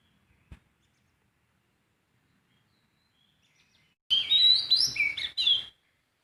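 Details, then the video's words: Sooty-headed bulbul singing in the wild: after about four seconds of near silence with one faint tap, a burst of quick whistled notes, rising and falling, sounds for about a second and a half. "Kicauan burung poci di alam bebas"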